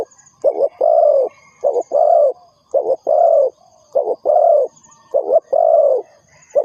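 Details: Spotted dove used as a trapping lure, giving soft low coos in two-part phrases, a clipped note then a drawn-out one, about five phrases in quick, fairly even succession over a quiet background.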